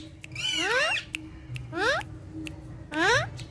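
A parrot gives three rising, voice-like utterances, each under a second long and spaced about a second apart, over a faint steady hum.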